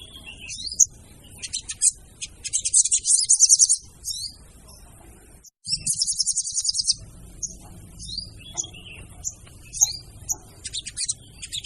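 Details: Female sogon call serving as a lure: rapid buzzy chatter rising to a dense burst, a pause, another chatter burst, then sparse thin whistles and chips.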